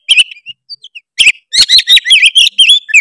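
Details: Oriental magpie-robin, Tretes type, singing to goad other birds: a few soft whistled notes, then a fast burst of loud, harsh buzzy phrases mixed with sharp whistles.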